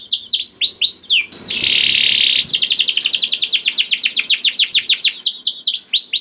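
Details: Juvenile canary song played to stimulate other canaries to sing, opening with swooping slurred notes, a harsh buzzy burst, then a long run of quick repeated chirps ending in more down-slurs.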